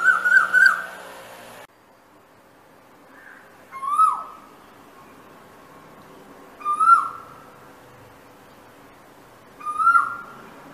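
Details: Asian koel calling: loud, clear whistled notes that slur downward, repeated roughly every three seconds in an even rhythm, with a short burst of other sound at the start.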